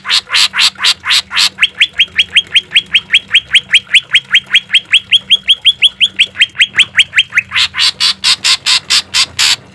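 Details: Caged green leafbird training song with harsh filler notes: a few broad rasping notes open, then a long fast series of rising whistled upslurs, nearly three each second, and a close of loud harsh bursts.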